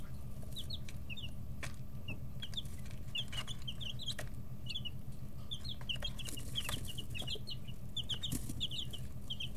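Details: Young chickens in a brooder, 11–13 days old with wing and tail feathers growing in, keep up scattered high peeps in short clusters, punctuated by sharp pecking clicks, above a steady low electrical-sounding hum.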